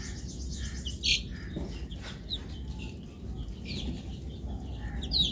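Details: Domestic chicken chicks at feeding time give scattered high, thin peeps and chirps over a steady low rustle and pecking noise.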